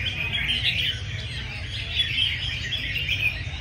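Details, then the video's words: Several red-whiskered bulbuls singing against each other at a crowded competition session: bright, fast twittering and short whistled notes pour out continuously, backed by a constant low hum of people and surroundings. "Dàn chào mào hót đấu mỗi phiên"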